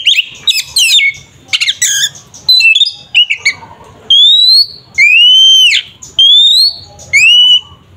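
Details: Kacer, Oriental magpie-robin, in fighting song for provoking a rival: quick varied chirps and buzzy notes open, followed by loud drawn-out whistles that rise or arch, repeated about once a second.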